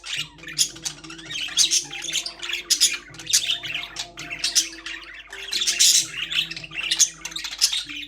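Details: Budgerigars kept in a cage twitter and squawk in quick, scratchy phrases, with a louder burst of chirps near the end. Gentle music plays behind the birds.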